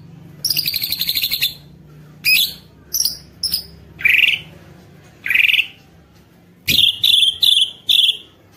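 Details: White-rumped shama song used to draw other shamas into singing: a buzzy high trill, then spaced sharp notes and short rasping bursts, ending with a run of four ringing chips.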